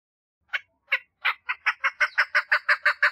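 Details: Calling for a mate, a female chukar partridge starts with slow, separate raspy clucks that quicken into an even, rhythmic series of harsh chuk notes, roughly three per second.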